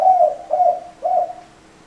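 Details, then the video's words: Spotted dove cooing three soft, throaty notes about half a second apart, then fading to quiet, with a faint constant hum behind. "Tổng hợp tiếng chim cu gáy"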